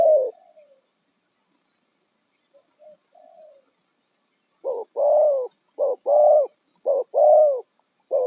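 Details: Trapping decoy spotted dove, originally wild, first giving a few quiet, trailing coos separated by silence, then a burst of louder short-long coo pairs in steady rhythm, over a faint constant high whine.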